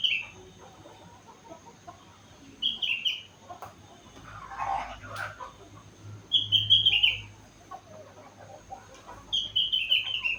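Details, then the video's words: Young sooty-headed bulbul, aged four months, singing imitations of rengganis and cucak wilis; short falling whistled phrases recur every three seconds or so, with a brief rustling noise in between and a faint low hum. "Burung Kutilang gacor isi rengganis cucak wilis"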